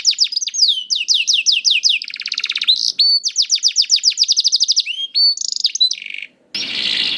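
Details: Young canary song played to make slow canaries sing: rapid high downslurred trills, a buzzy rolling tour, more trills, and a noisy harsh burst at the end.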